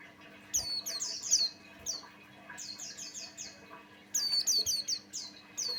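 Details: Male opior jawa, a Buxtoni white-eye, in lively lure song meant to trigger other white-eyes. Tumbling chains of thin high downslurred whistles, a quieter middle stretch, then another quick cluster, all over a faint hum.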